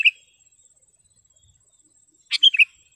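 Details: Sooty-headed bulbul (kutilang) singing vigorously, recorded for tutoring caged birds and luring wild ones: one bubbly three-note phrase near the end, preceded by a brief high chirp at the start, with quiet gaps.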